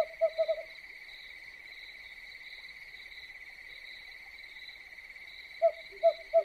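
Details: An owl at night gives short, low hoots in quick bursts of three to four over a steady high drone of crickets.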